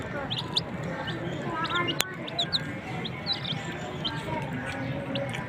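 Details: Desi country chicken chicks chirping: scattered short, high rising peeps, soft and sparse, with one sharp click near the middle and faint voices in the background.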